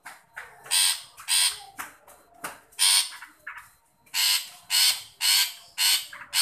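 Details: Long-tailed shrike calling to coax a shy one into voice, giving repeated coarse, scratchy rasps, about two a second and loudest in the second half, each a short noisy burst.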